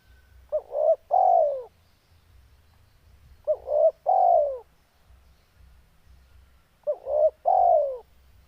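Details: Spotted dove in breeding condition gives three phrases about three seconds apart, each two quick hooting notes then a drawn-out descending coo, with a low steady hum beneath.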